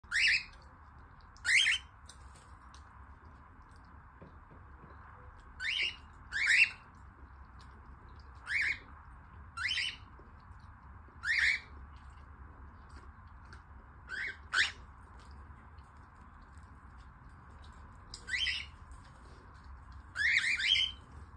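A cockatiel gives harsh, scratchy squawks, singly or in quick pairs, as an aggressive threat.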